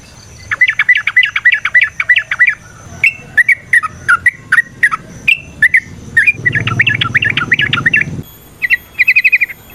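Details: Yellow-vented bulbul singing to provoke fighting: rapid chattering run of looping notes, then scattered single slurred notes, another fast bubbling burst with a rumbling background, and a final quick trill.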